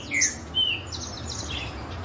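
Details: Green-winged Saltators in a singing contest trade short, clear whistled notes, with one bright slurred phrase standing out and higher chirps from other birds over a low background hum.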